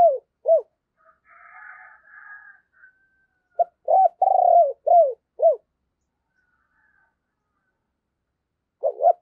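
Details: Spotted dove decoy with a thunderous voice cooing to attract wild doves: brief curved notes, a run of quick coos around a longer pulsing note, softer higher coos from another dove, then a final short note.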